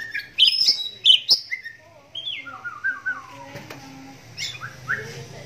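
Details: Caged oriental magpie-robin, blind in its right eye, whose voice sets other magpie-robins answering: sharp piercing whistles, then a descending string of soft whistled notes and a few thin, upslurred calls.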